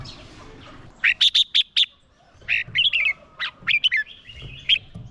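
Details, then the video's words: Fighting song of a decoy red-whiskered bulbul calling in wild birds: a quick burst of four ringing whistles, a short pause, then a varied phrase of warbled, rising and falling notes over faint low thumping. "Chào mào mồi hót đấu gọi bổi căng lửa"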